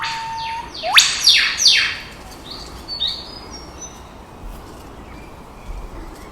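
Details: Eastern whipbirds, a juvenile and its parent, in forest at Lane Cove National Park near Sydney: a long, level whistle snaps into a sharp, rising whip-crack, answered at once by two quick sliding notes, and fainter high calls follow.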